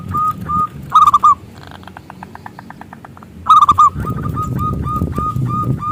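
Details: Zebra dove (perkutut lokal) used as a lure for other doves: a few upslurred coos and bubbly rolled phrases, with a stretch of quieter clicking pulses and low rumbling noise between them.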